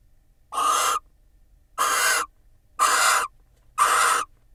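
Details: Pair of barn owls in an Israeli nest box, mutually preening during incubation in March; four harsh, rasping half-second screeches spaced roughly one second apart, with quiet gaps between.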